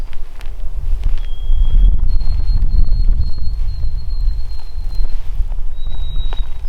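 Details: White-throated Sparrow singing loudly, "Oh sweet Canada, Canada": a clear whistle, a higher note held about three seconds, a final pure whistle, in woodland where trees are being planted; heavy wind rumble and footsteps underneath.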